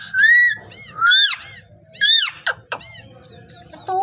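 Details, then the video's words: Pet parrot calling with loud harmonic whistled notes, arched and rising, in bursts about a second apart, followed by short sharp clicks and a brief nasal note; low steady hum underneath. "Amazing parrot talking and voice"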